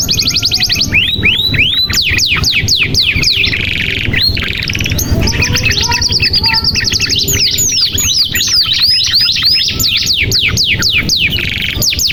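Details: Canary song for encouraging reluctant singers: rapid trill opening into downslurred whistles, a long buzzy rolled section, then a quick series of repeated descending whistles, rich and unbroken.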